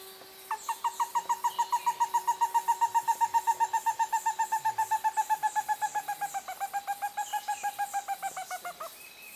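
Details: Stresemann's bristlefront delivering a long run of rapid whistled notes, close to four per second, starting loud and gradually dropping in pitch and loudness over about eight seconds, over a steady high insect drone.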